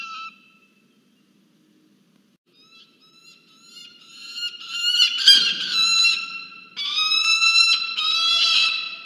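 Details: Peregrine falcon at a research nest camera of Charles Sturt University, Orange, New South Wales, Australia, at dinner time on 1 December 2022; harsh, wailing harmonic squawks start faintly, then swell into loud, near-continuous repeated cries.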